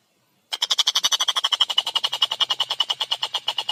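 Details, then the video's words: Collared kingfisher song, a loud dry rattle of rapid harsh notes about eight per second, steady for over three seconds after a short silence, energy strongest high up, with faint low hum beneath. "Masteran Burung Tengkek Buto Gacor Suara Jernih Speed Rapat"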